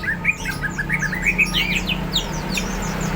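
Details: Greater green leafbird (cucak ijo) singing energetically, described as ready to fight: rapid chirpy whistled notes and sweeping slurs, busy and varied, over a steady low hum.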